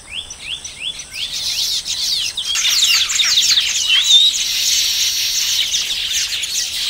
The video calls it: Baya Weaver. Recorded At Colony. Occasional Outbursts Of Calls From Birds